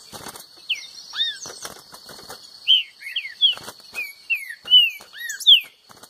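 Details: A trinca-ferro, green-winged saltator, singing in contest with a free bird, gives a string of slurred downward whistles amid clicking and fluttering noises and a constant high-pitched background tone.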